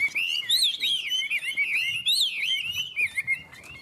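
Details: Two caged Chinese hwamei sing against each other in a contest: loud, rich, rapid song of looping whistled slurs and trills, continuous with brief pauses, high and bright throughout.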